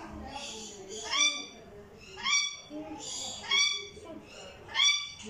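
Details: Rainbow lorikeet playing indoors in a bedroom, giving loud, bright, harmonic-rich calls in short bursts roughly every second, each sharply rising then falling, with soft human voices underneath.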